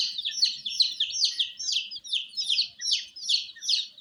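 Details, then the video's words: Coloured baby chicks in care with added heat; loud, high peeps that drop steeply in pitch, repeated roughly every third of a second in a fairly even rhythm, a few softer calls in between. "Witty MURGI Baby "Chicks Chirping" Sound"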